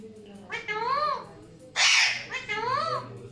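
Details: Alexandrine parakeets indoors: two drawn-out, harmonic, arching nasal calls framing a short, harsh, broadband screech in the middle, with faint room noise.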